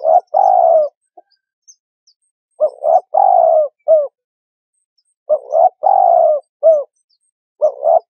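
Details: Spotted dove calling for use as a trapping lure: phrases of two short coos, a long drawn coo and a brief tail note, repeated roughly every two and a half seconds.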